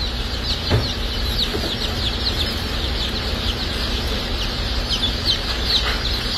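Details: Many Dark Brahma baby chicks, hatch and shipping day at a hatchery, cheeping nonstop in high, quick downward peeps that overlap into a busy chorus, with a low rumbling hum underneath and an occasional knock.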